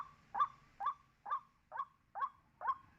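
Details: A white-breasted waterhen call used as a trapping lure: a harsh, mid-pitched croaking note about twice a second, six times in steady rhythm, over a faint low hum.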